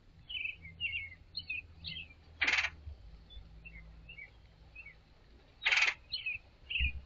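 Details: A male red-headed woodpecker sitting on a balcony railing beside bird feeders gives two loud, harsh, raspy calls about three seconds apart, then heads to the trees; soft high chirps from small birds and a low rumble are also heard.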